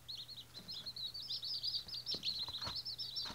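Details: White Australorp chicks in their first day chirp in a busy overlapping chorus of shrill, rapid peeps with a few soft clicks and a low background hum.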